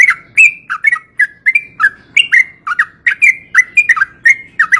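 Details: Long ropel song of a yellow-vented bulbul, aimed at stirring quiet birds to sing. Loud, liquid notes come in quick succession, each a short slurred warble, with a low murmur in the background.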